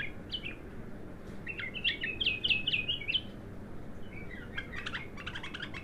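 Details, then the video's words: ['Untrained bulbul singing for the first time: fast runs of short chirpy, slurred notes, some rising and some falling, in bursts of a second or two, with steady background hiss.'] "تغريد الابتر خام اول فتحـه له"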